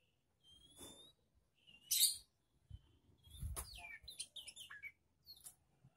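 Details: Untrained young magpie-robin during a mental test with other birds: thin level whistles and a loud rasping note, then jumbled chattering phrases over low thumping background noise.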